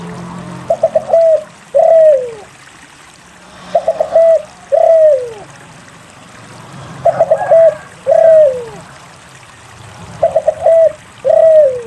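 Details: Spotted dove in full song, played to coax silent doves to sing. Four phrases, each with rapid stuttering notes, a short coo, and then a longer coo sweeping down, spaced about three seconds apart.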